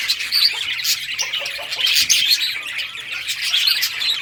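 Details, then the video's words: A group of budgerigars at play on June 17, 2023 gives a nonstop tangle of bright chirps and raspy squawks, thickest around the middle and never pausing. "Budgies playing and chirping"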